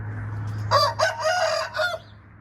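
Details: Crow of a red junglefowl in four hoarse bursts, the third one longest, finishing within about a second and a half against a steady low background hum.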